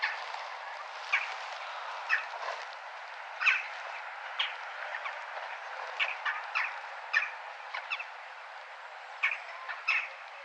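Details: Crow calling in a town: brief harsh notes repeated irregularly every second or so, sometimes in quick pairs, over constant urban background noise.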